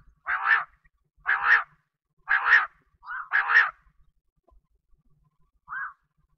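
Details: A quail, recorded as a calling sound for wheat-season hunting, gives harsh, raspy notes about once a second, four in a row with a brief softer note between, then a final short note after a pause.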